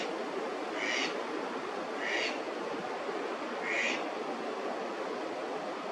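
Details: Park-dwelling Eastern spot-billed duck, Tokyo, May, incubation season, giving three brief harsh calls over roughly three seconds amid continuous stream noise.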